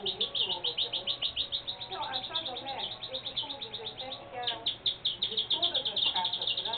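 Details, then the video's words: Saffron finch singing: a fast run of high, sharp chirps repeated many times a second, with a short break midway before the rapid chirping resumes; murmuring voices sit low in the background. "canario da terra"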